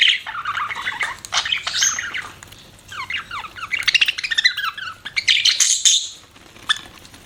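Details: Budgerigars chirping and warbling: squawky chatter, a run of quick descending chirps, then a loud burst of high, scratchy notes before fading to quiet.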